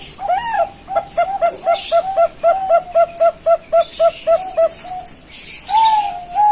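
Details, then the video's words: Young captive-bred zebra dove of the Bangkok type from a bird farm in Kebumen, Central Java, Indonesia, expected to develop a deep, full voice: a long series of about fifteen short, even, mellow cooing notes, then a drawn-out coo, with faint background rustling. "PIYIKAN PERKUTUT BANGKOK CALON SUARA TEBAL BESAR"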